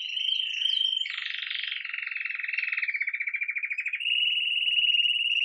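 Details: Belgian canary, red mosaic agate, lively at the start of the day with campainha song: a steady ringing trill, a broader rattling stretch, then a bright sustained rolled note; recorded live.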